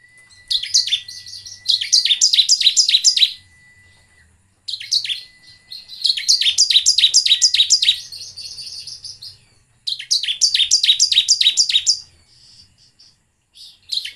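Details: Bar-winged prinia song meant to coax other birds into singing. Rapid strings of bright, high, downslurred notes come in phrases of about two seconds, separated by brief silences, over a faint constant high tone.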